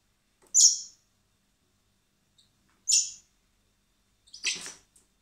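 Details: Spring begging of young common blackbirds being hand-fed at a wildlife rescue centre ahead of their release; three sharp high squeaky cries spaced roughly two seconds apart, the last one harsher and broader.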